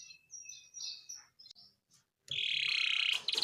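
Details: Gacor canary used for baiting: soft, thin warbled notes and pauses, then a loud, dense buzzy roll with rapid pulses, ending in short bright bursts.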